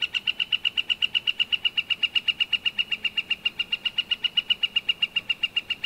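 A Northern Flicker gives a long, steady series of loud, ringing notes, about four per second, evenly spaced and level in pitch throughout.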